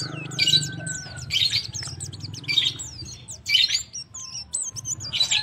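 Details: White-eye male calls to his mate with repeated bursts of shrill twittering, each followed by a few clear, thin whistled notes. A low hum sits in the background.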